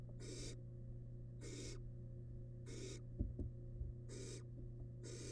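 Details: Wild barn owl chick in its nest box, tackling large rabbit remains; five loud raspy hisses at regular intervals of just over a second, plus a brief thump and steady humming.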